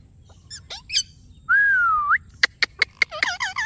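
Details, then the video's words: Ringneck parrot giving a few short squawks, then a long steady whistled note that curls upward at the end, followed by a quick series of sharp clicks and wavering screechy notes. "Amazing Ringneck Parrot Natural Sounds"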